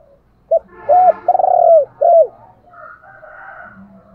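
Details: Spotted dove used as a decoy, giving urging calls to stimulate wild doves to coo back: a short note, a mellow rising-falling coo, a long stuttering coo, then a final coo, followed by faint softer cooing.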